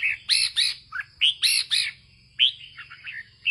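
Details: Northern ché-style singing from a red-whiskered bulbul owned by a farmer: loud, rhythmic bursts of bright, ringing chirps roughly four per second, then a pause and a softer tumbling warble, with a constant faint high tone underneath.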